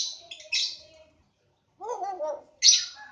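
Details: In an Aceh breeding aviary, lovebirds give sharp, high squeaky chirps in two short bursts, separated by a pause and a lower warbling murmur, then a loud shrill note.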